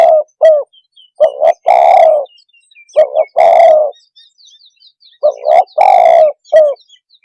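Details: Spotted dove (tekukur) coo sequence used to make other birds emotional: short single coos and three-part phrases ending in a long rough note, with faint thin chirps of small birds in the background.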